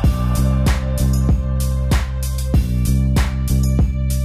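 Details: Loud, bass-heavy music with drums and plucked guitar keeps up a regular beat of about a hundred strikes per minute.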